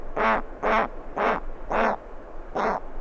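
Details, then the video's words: Begging giant petrel chick asking for food, recorded close, with skuas and terns in the background: five loud, coarse, nasal calls at a slower, slightly uneven pace, a little under two per second. "Giant Petrel. CU Chick Begging For Food."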